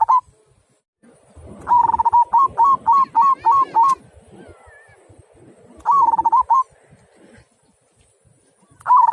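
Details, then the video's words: Local zebra dove singing clear 'kung' style song: a long phrase of a trilled coo followed by a rapid string of bouncing rising notes, then a shorter phrase and the start of another, over low rumbling background. "Mp3 Perkutut Lokal Suara Kung"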